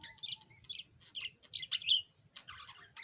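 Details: Quiet chattering from a yellow budgerigar that used to be mute: a short series of soft squeaky chirps and hoarse buzzy notes over a low hum.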